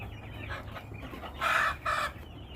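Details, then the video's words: Home-kept chickens: faint clucking, then two loud, harsh squawks about half a second apart, each held briefly before cutting off. "Beautiful sounds of our flock !!"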